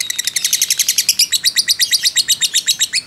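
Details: Fighter lovebird in fast 'ngekek' chattering, played to rouse other lovebirds: a rapid stream of bright, high notes, about four to five per second, with no break.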